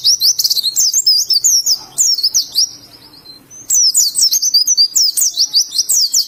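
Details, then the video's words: Indonesian oriental white-eye delivering "ngalas" song: dense, high-pitched warbling of quick slurred whistles, a brief lull near the middle, then a renewed energetic twittering phrase. "Burung Pleci Ngalas"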